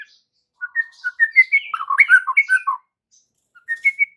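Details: White-rumped shama song used as an afternoon lure to make young and fledgling shamas answer and sing. A rapid, varied run of clear whistled notes jumps up and down in pitch, pauses, then resumes with a few bright repeated whistles.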